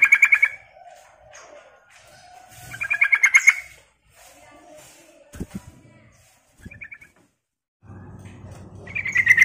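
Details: Sooty-headed bulbul call used to lure wild birds: bursts of rapid, bright chattering notes, repeated three times with quiet gaps, a short softer burst and low rumbling noise in between.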